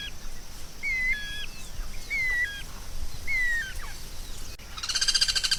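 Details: White-rumped shama song, offered as masteran material for training songbirds: short clear whistled phrases with a sharp upward hook, repeated about once a second, then a loud buzzy rattling burst at the end.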